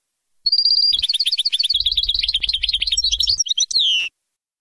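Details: Baynam Ghazarat style song of a European goldfinch, meant for teaching chicks. A brief high whistle opens into lively, varied twittering and quick trills, with a faint low rumble midway. A sweeping downward whistle closes the phrase.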